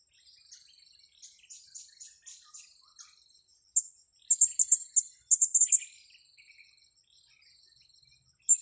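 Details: Blue-crowned hanging parrot, lured in the wild and caught on grass, delivers strings of quick, very high, sharp chirps, softer at first, then loud rapid bursts, and a final loud note, with a faint high insect buzz throughout.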